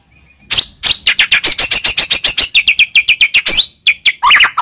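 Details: White-rumped shama song used as a lure to stir a silent shama into singing: a fast, slightly uneven string of sharp high chirps, about two and a half per second, ending in a few looser, descending notes.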